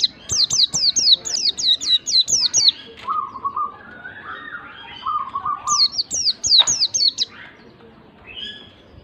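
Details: White-eye song meant to stir a lazy bird into singing: rapid runs of high, sharply falling whistled notes in two bursts, separated by lower buzzy warbled phrases.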